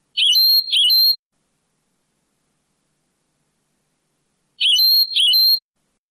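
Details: European goldfinch singing the Moroccan Sebtaoui style, old cleaned cassette recording: a one-second phrase of a buzzy note followed by a sustained clear whistle, doubled, then repeated after about three seconds of silence.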